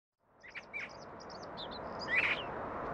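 A young Bluethroat gives short, high chirps and a louder scratchy call, set against a steady hiss of background noise.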